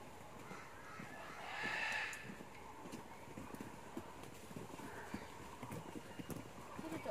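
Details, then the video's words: A common crane at a zoo, recorded 14 February 2020, gives one loud, rolling, trumpeting call lasting about half a second, then a fainter echoing call a few seconds later, over steady background chatter and bustle. "灰鶴叫聲（The Trumpeting of Common Crane）"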